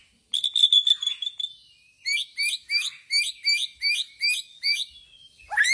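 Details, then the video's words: Bornean white-rumped shama singing gaya sujud style: a sustained high buzzy trill, a short gap, then about eight evenly spaced clear two-part whistled notes, ending on a rising note. "Murai Borneo gaya sujud"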